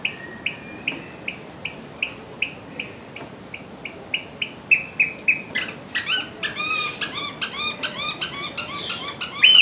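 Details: Eurasian oystercatcher at Ueno Zoo, Tokyo, in July 2020 on a rainy day, giving shrill, piercing piping notes that speed up into an excited trilling burst.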